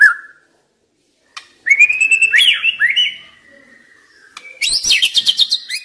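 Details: White-rumped shama song for stimulating young wild birds: a sustained clear whistle with a few warbled turns, a pause, then a burst of rapid high chattering notes.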